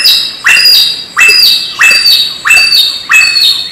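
Samyong giving loud, harsh, slurred notes, each sweeping downward and repeated about every two-thirds of a second, with a bright ringing edge.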